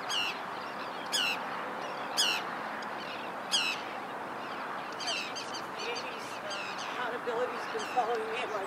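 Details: Calls of a Forster's tern recorded 12 May 2011 with a Panasonic GH2: loud, clipped, descending notes roughly once a second early on, then fainter overlapping calls, over a steady hiss.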